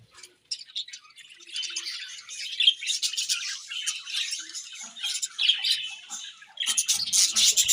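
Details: Budgerigars chirp and squawk over their morning feed: scratchy, buzzy chatter grows steadily and swells into a loud burst of calls near the end.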